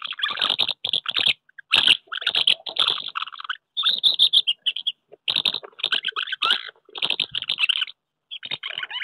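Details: Common house martins courting at nests on a wooden house in late May 2023 (courtship delayed by cool weather; pairs reclaiming old nests and squabbling with strangers) chirrup in a dry, scratchy twitter of quick bursts with a soft rasping chatter.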